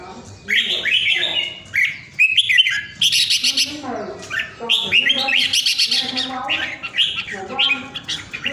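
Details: Vietnamese red-whiskered bulbul, a well-tended caged bird kept at home during the Covid lockdown, singing in the powerful style praised as 'ground airplane': bursts of bright whistled, warbling phrases with sharp clicks between them and short pauses.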